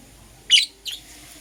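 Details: Lovebird, Green Personata or Yellow Pastel Pied, in the morning giving two short harsh chirps, the first louder, the second softer, close together.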